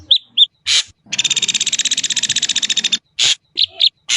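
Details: Ashy drongo singing: two tiny high chips and a harsh note lead into a fast, dry rattling trill of about two seconds, then several scratchy clipped notes.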